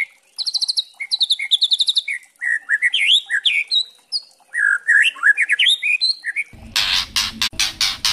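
White-rumped shama pouring out a rich, varied song of fast trills, clear whistles and rising slurred notes, ending with a few loud crackling noise bursts.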